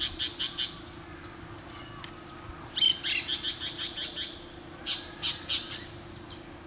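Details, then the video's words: Yellow-headed Caracara giving harsh, high, scratchy screeches in quick bursts of three to seven, with short pauses between series. "Yellow-headed Caracara - Caracara à tête jaune"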